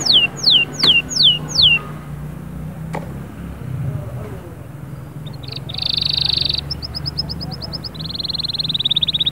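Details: Canary singing in bursts: a few loud downward-sliding whistles, a pause with low hum, then a short buzzy, rattling phrase and a fast, steady trill of tiny repeated notes.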